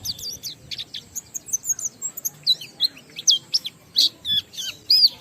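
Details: Oriental white-eye used to stimulate other white-eyes to sing, giving a jumbled high twittering mix of short sharp chirps and looping whistled notes, growing louder toward the end.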